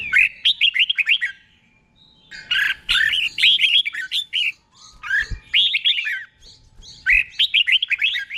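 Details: Doubled-style song of a red-whiskered bulbul, slow and clear, meant for caged birds to learn. Four lively phrases of rising and falling whistled notes, separated by short silences.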